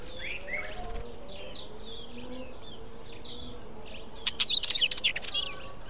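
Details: Mountain chat, a resident wheatear: soft, scattered warbled and slurred notes for four seconds, over a faint low hum, then a loud rapid run of sharp clicking ticks and squeaky notes to the end.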